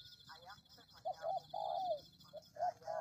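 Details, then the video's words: Brief human voice, then a spotted dove (tekukur) lure call: short soft hoots leading into a long falling coo, followed by another pair of hoots, over a continuous high-pitched hum. "Pikat Tekukur"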